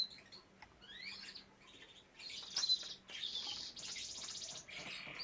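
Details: Canary from a breeding setup with young birds: short rising whistled notes, then bright buzzy high trills in separate bursts, and a steady pulsed trill near the end, over quiet background hiss.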